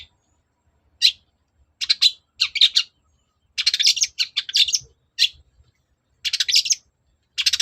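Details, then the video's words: Long-tailed shrike (cendet) song meant to goad a reply: bursts of harsh, rasping chatter clustered in short groups separated by silent pauses, high and noisy, no other sounds. "pancingan cendet agar nyaut gacor"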